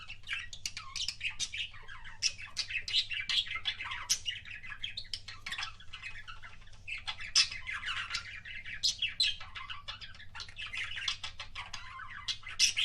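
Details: Pet budgie giving kissing sounds as a long stream of scratchy, clicking warble with frequent sharp high squeaks, barely pausing over thirteen seconds, with a faint steady hum.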